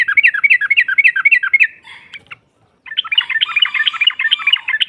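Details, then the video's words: Rival-provoking female yellow-vented bulbul in ngropel style: a run of quick bubbling notes, a brief quiet break, then a longer busier stretch of rapid chattering. "SEKALI PUTAR SEMUA TRUCUKAN NYAUT NGROPEL Seketika"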